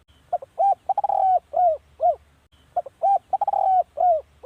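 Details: Spotted dove, a recording used for decoy calling, gives a phrase of low arched coos with a fast stuttering burst in the middle, then a second phrase begins. Steady low hum underneath.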